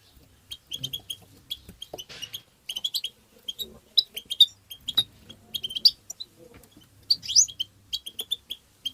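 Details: European goldfinch tebteba chirps meant to stimulate goldfinches: bright, clipped high notes repeated in irregular clusters about forty times a minute, with a quick rising twitter partway through and faint low background noise.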